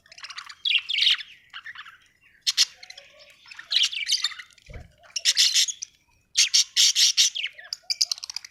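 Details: Cheerful budgie, an Australian bird, pouring out busy, buzzy warbles and high chirps in dense bursts, with a rapid stuttering run near the end and a single low knock midway.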